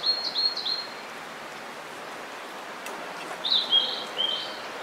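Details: Blue-and-white flycatcher singing in spring at Hakone, Japan, a summer visitor: a brief high fluttering phrase at the start, a pause of quiet ambience, then whistled notes and thin sustained tones.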